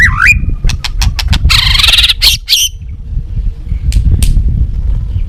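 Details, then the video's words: White-rumped shama singing a balak 6 style song, a recording used to lure birds for trapping: a looping whistle, then a burst of clicks and a rich warbled phrase over steady low rumbling noise. "Suara Masteran Pikat Burung Murai Batu Balak 6 (Whiterumped Shama)"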